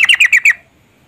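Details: A female yellow-vented bulbul calls to the male to make him sing, giving five rapid, harsh, chattering notes in half a second before falling silent.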